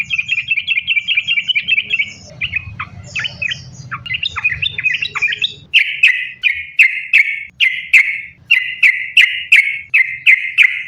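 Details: Sooty-headed bulbul in vigorous continuous sambung ropel song, used to make bulbuls sing: a fast trilled run, then scattered chirps over low noise, then loud, clear notes about twice a second.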